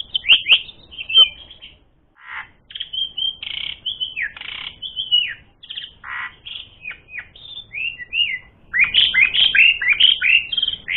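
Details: Asian pied starling delivering a varied, nonstop song meant to spark fighting, with quick chirps, a pause, looping whistled phrases and short harsh notes, ending in a fast rattling chatter of rapid notes.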